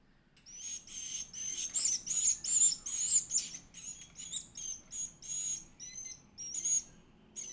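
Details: Edible-nest swiftlet chick eating: thin, very high-pitched squeaky chirps in rapid bursts, about two or three per second, each burst rising and falling in loudness, with brief quiet gaps between.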